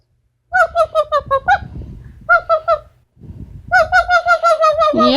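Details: Pet female Amazon parrot indoors producing rapid series of nasal, honking notes in three bursts, about six to eight notes each, sounding goose-like, repeated quickly with short pauses between bursts.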